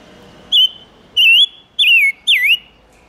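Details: Silver-eared mesia song used as a lure to attract wild birds and rouse males: four loud, clear whistled notes, each slurred, the later ones dipping down and swinging back up, spaced about half a second apart over a quiet background.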